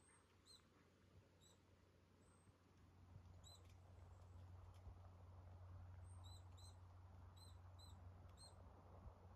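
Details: Siberian chiffchaff, ssp tristis, under overcast sky: short, high, thin single notes in loose irregular runs over a constant low rumble.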